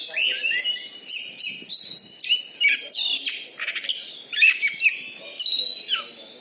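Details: Champion Oriental magpie-robin, a caged contest bird from Bengkulu, Indonesia: fast, varied stream of clear whistles, crisp chirps and short trills repeated in lively bursts, with soft low background noise.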